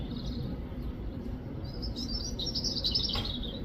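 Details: European robin song recorded in the UK: one short, high, thin twittering phrase with quick trills and slides, coming after a quiet start, with constant low background rumble throughout.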